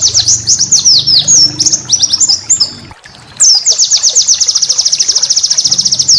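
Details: Master song of a white-eye for teaching cage birds: varied high whistled slurs and twitters, a brief silence, then a long, steady, rapid trill of thin repeated notes.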